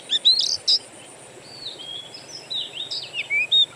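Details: Lure for Oriental magpie-robins using wild birdsong to trigger singing: a burst of loud chirps, then sparse drawn-out whistles and slurred notes with pauses between them, ending on sharp bright phrases.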